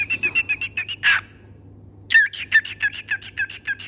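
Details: Pet parrot singing: quick repeated chirpy notes, a harsh squawk burst, a pause, then another fast run of bright, slightly buzzy chirps, with a constant low hum beneath.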